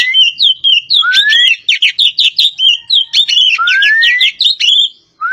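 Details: Javan poci magpie-robin in full, lively song: dense rapid sequences of warbled and chattered notes, interrupted twice by long upward-sliding whistles, with only brief gaps.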